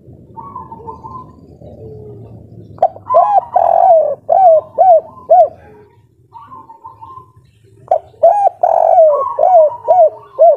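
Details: Local spotted dove in breeding condition gives the kuk 3 song: a faint trill, then a purring start and a run of four hollow coos; after a pause, a second phrase follows with the same arched, bell-like notes.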